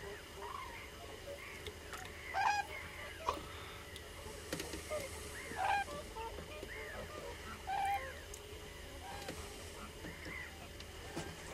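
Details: A large gathering of common cranes heard from farther off: a few clear, trumpeting calls at irregular intervals of one to three seconds over a steady hiss of background noise.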